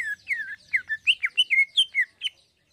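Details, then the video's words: Greater green leafbird singing in the fine 'isian halus' style: a tight run of about a dozen sweet whistled notes, each bending up then down, delivered quickly and cleanly. "ISIAN HALUS CUCAK IJO GACOR"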